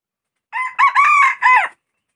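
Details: Junglefowl (ayam hutan) crowing: a single hoarse four-part crow lasting just over a second, a short opening note, a brief accented second note, a long sustained middle note and a falling final note, against complete silence.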